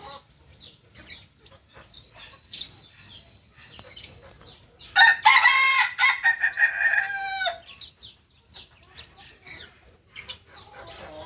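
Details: Singing chicken of the Kukuak balenggek breed from Solok, West Sumatra, crowing once for about two and a half seconds in a run of rapid, layered syllables, while short high chirps of other birds sound scattered around it.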